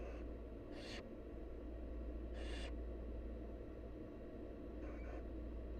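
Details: Nestling barn owls, wild, begging during a feeding visit from their mother; two strong rasping hisses and a fainter third, each short and breathy, set against continuous low-pitched background noise.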